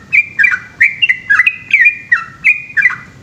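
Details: Short burst of the 'ropel' night song of an Indonesian yellow-vented bulbul, made of liquid, dipping whistled notes with little upward flicks, roughly three per second.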